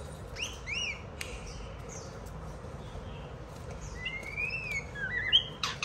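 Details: White-rumped shama singing while a child plays with it: scattered clear whistled notes, some short rising slurs, then a longer bright whistle near the end, over a low indoor hiss.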